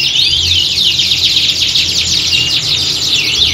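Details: Competition-training recording of a canary squad. Shrill, tightly packed trills and quick descending sweeps overlap without pause, and a low background hum is present.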